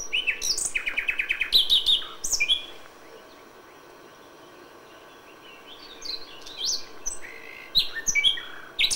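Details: Common nightingale at dawn in May: loud clusters of rapid repeated and whistled notes, a quiet gap, then renewed bursts of varied chirps and trills.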